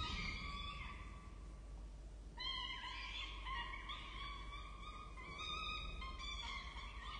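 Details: Peregrine falcon chicks at their nest on the Charles Sturt University campus, Orange, Australia, 23 October 2023, give high, harsh, drawn-out wailing begging calls in near-continuous overlapping bursts at feeding time, over a steady low rumble.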